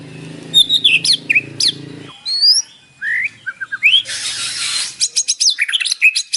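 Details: White-rumped shama fill-in song recorded in the morning to draw a response from a caged bird: sharp varied whistles and slurs, a low hum early on, a brief rushing noise midway, then quick high notes.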